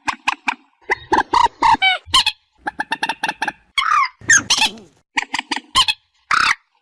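A common moorhen gives loud, nasal, honking notes in quick bursts of two to five, with short pauses between, over an otherwise quiet background.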